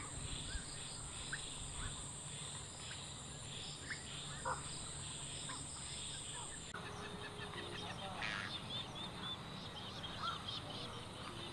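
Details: Purple swamphen in a natural setting during birdwatching; short nasal squawking notes sound intermittently, with a louder burst of harsh, stacked calls later, over steady insect buzz and background noise.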